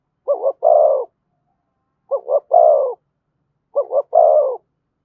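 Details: Cooing of a spotted dove, thổ voice with thúc and kèm styles: three evenly spaced phrases, each a pair of short throbbing notes then a longer falling coo.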